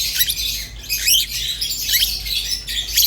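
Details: Budgerigar warble from a pet pair: rapid, scratchy chattering mixed with short rising squeaks and chirps, with a brief pause after the first second before the busy twittering resumes.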